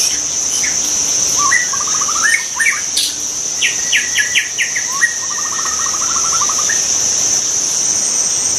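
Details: Wild white-rumped shama singing in its natural habitat: varied whistled phrases, fast trills and rapid stuttering note series around the middle pitch range, over a steady high-pitched insect drone throughout.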